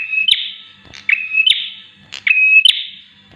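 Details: Bar-winged prinia repeating its song for tutoring or luring birds: high steady whistles, each clipped off by a loud buzzy chirp. About three phrases come at a brisk, even pace in a quiet setting.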